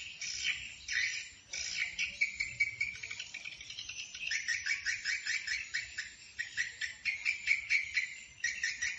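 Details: Flock-gathering calls of swiftlets from Bình Định: rapid series of sharp, clicking chirps in quick pulses, a high buzzy trill threaded through, steady chattering throughout with small dips in loudness.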